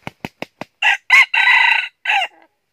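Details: Red junglefowl decoy calling to draw wild birds into a trap, northern Vietnam: four sharp wing claps, then a clipped crow of four rasping notes with a long middle note and a short falling final note.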